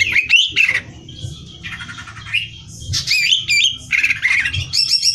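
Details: Greater green leafbird singing for song-competition training, with abrupt loud whistled swoops, squawky chattering notes and brief trills in quick succession, low background noise throughout.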